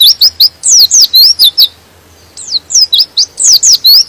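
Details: Shrill, rapid twitter of a white-eye (pleci), said to stir other white-eyes to sing along; a fast string of high swooping notes, a pause of nearly a second, then the twittering resumes.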